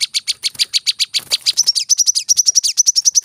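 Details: Brown-throated sunbird song used as training material for cage birds: rapid series of high, sharp chirps, about eight per second, first descending notes then shorter upswept ones holding a steady high pitch.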